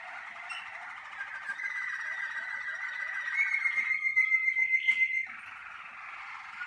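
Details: Malinois Waterslager canary in a singing cabin, early in the season's first outings, warming up. It keeps a continuous rolling trill, swelling into a louder, brighter sustained tone near the end before softening.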